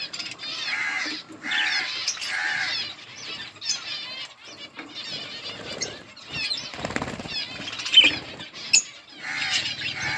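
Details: Wingbeats flutter and whir among colony budgerigars as they give bursts of scratchy, warbled chirping that come and go in irregular waves.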